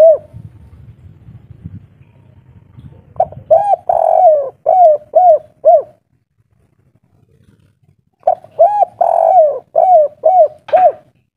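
A spotted dove gives two bouts of deep, hollow cooing, each a quick run of arched, rolling notes ending in a triple 'kuk', with a low rumble at the start.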